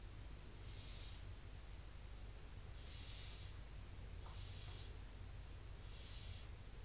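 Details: Barn owl chicks inside a nest box in Cabañeros National Park, hissing in rejection at a visiting intruder owl, apparently a female, while the resident adults are away. Four breathy, noisy hiss bursts about every one and a half to two seconds over a low hum.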